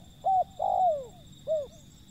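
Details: Wild zebra dove: a short level coo, a longer note sliding downward, then one clipped arched coo, clear against a quiet humming background.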